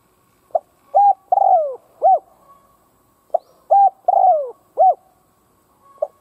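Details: A spotted dove kept as a decoy coos to stir rival doves. It gives two complete phrases about three seconds apart, each a short soft note followed by three mellow coos, the middle one long and falling. A third phrase begins at the end.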